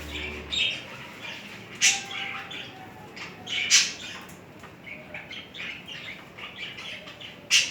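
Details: Budgerigar pair during courtship and mating. Sparse, scratchy chirps and squawks come every second or two, with a few louder sharp notes, against low room hum.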